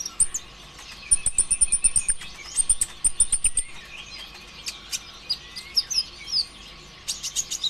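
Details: Konin ijoan, the olive-backed sunbird, singing hard as a lure for other birds: shrill trilled whistles repeated in fast series at the top of its range, followed by scratchy twittering and sharp chips.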